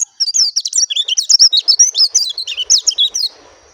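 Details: Clear, continuous song of an oriental white-eye, dakun variety: a quick, unbroken stream of high, thin twittering and warbling notes lasting about three seconds, then stopping.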